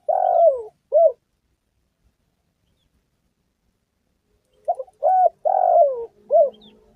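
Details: Spotted dove coo phrases meant as a lure for trapping and hunting: the end of one phrase with a falling coo and short note, a long silence, then a full phrase of stuttered, level, long falling and short coos.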